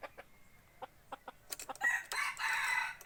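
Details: Decoy rooster used for forest hunting, a short series of soft clucks and clicks followed by a loud, harsh, broadband crow that rises and holds through the final second and a half.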